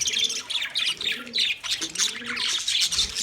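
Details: Budgerigars chirping, recorded 9 March 2024: dense, continuous high twittering chatter with rapid overlapping chirps and warbles, while soft low cooing notes from another bird run beneath.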